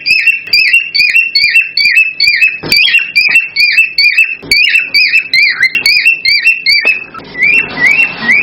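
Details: Cockatiel calls used to encourage pairs to breed: rapid repeated rising whistles, about two per second, with sharp clicks between them, ending in a burst of broad rushing noise.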